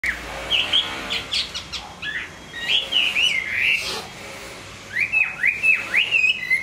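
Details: Hwamei singing while moulting: loud, slurred whistled phrases that swoop up and down, delivered in bursts with short pauses between, then a run of repeated down-slurred notes.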